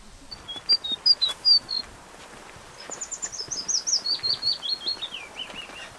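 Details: Willow warbler singing in the field, heard on a guided outing in the Baie de Somme, France, its song given the French memory phrase "dis-le-moi si tu ne m'aimes pas"; a short opening phrase, a pause, then a sweet series of notes descending steadily in pitch.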